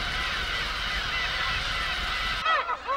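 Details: Black-tailed gulls in the breeding colony of about 20,000 birds on uninhabited Hongdo island off Tongyeong, fighting over nest sites, give loud, nasal, mewing calls over a dense roar of many calling birds.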